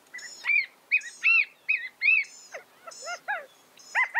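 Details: California quail (Callipepla californica) calls: a busy run of short, arched chirps and clucks, sometimes overlapping as if from several birds, over a quiet background.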